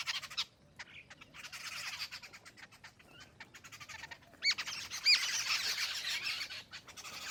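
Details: Jungle babbler calling with scratchy, harsh notes in uneven bursts, a quieter stretch, then a louder grating chatter with a couple of brief squeaky notes.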